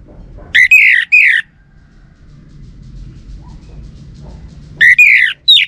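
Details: Orange-headed thrush lure recording meant to make males answer: loud, buzzy whistled phrases with rich overtones, two bursts early and two near the end, separated by a quiet stretch with low background hum.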